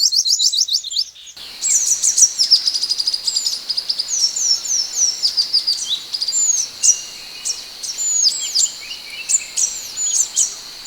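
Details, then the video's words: Scarlet minivet, locally mantenan or sepah hutan, singing actively as a training recording for other birds: thin, high slurred whistles, some rising and some falling, repeated in quick irregular bursts over a steady high hiss, after a brief different trill at the start. "MASTERAN BURUNG MANTENAN ( SEPAH HUTAN ) GACOR"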